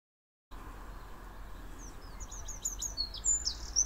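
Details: Eurasian wren at Rolleville (Seine-Maritime, France) bursts into song: a rapid run of very high, sharp notes tumbling quickly over a soft background hiss.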